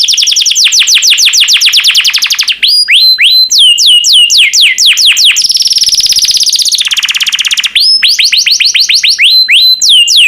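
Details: Yellow canary kept as a pet bird, singing loudly and continuously: fast repeated down-swept whistles, high buzzy trills and rolling phrases, very close and strong throughout.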